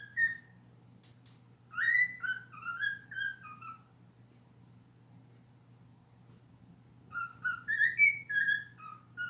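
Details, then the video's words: Pet cockatiel indoors performing a learned honking and scream song copied from people; two bursts of whistled, warbling notes separated by a long quiet gap, with a low background hum. "Needle singing + honking and screm song"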